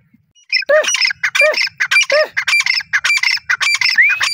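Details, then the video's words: A partridge (teetar, possibly grey francolin) gives loud, harsh, ringing squawks in a fast, uneven run of hooked notes, nearly two a second, with no other sounds behind it. "teetar awaz /teetar ki awaz/ teetar voice /teetar sounds"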